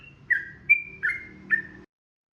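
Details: Yellow-vented bulbul in long, lively 'ropel' style song used as training audio: four short whistled notes, each a quick upward flick settling into a level tone, about every 0.4 seconds, with a low background hum.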